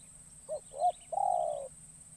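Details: Newly trained caged spotted dove, taken into the wild forest for the first time, calling as a decoy to lure wild doves: two short soft coos, then one long, burry, drawn-out coo over a steady high hiss.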